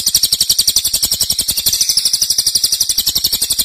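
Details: Loud 'nembak' song from a cililin, a high, fast, steady trill of clipped pulses, about ten per second, continuing unbroken.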